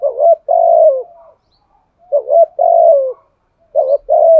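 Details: Spotted dove decoy cooing in the Đồng Son voice style, used to call and lure other doves: a short stuttered coo followed by a long, level, slightly falling coo, phrases repeating about every two seconds in a quiet setting.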